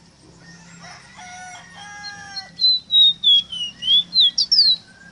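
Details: Ruddy-breasted seedeater (Rosita, Meriño) song for teaching captive birds to sing. Faint, even harmonic tones come first, then a loud series of about eight whistled notes that dip and then climb, ending in quick sharp slurs.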